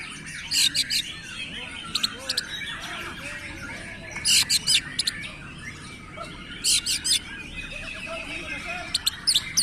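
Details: Kacer, Oriental magpie-robin, singing in konslet style: short, harsh, buzzy bursts in quick groups every few seconds, with faint whistled notes, over constant background hiss.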